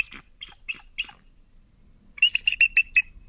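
Bald eagle giving thin, high chirps: four spaced notes, then a louder, rapid run of about six piping notes.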